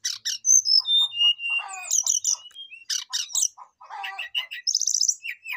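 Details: Brown-chested jungle flycatcher, possibly a female going by a tag, calling to a rival in rich, full song: clear, high, flute-like whistles mixed with quick chattering bursts and trills, delivered in rapid-fire phrases.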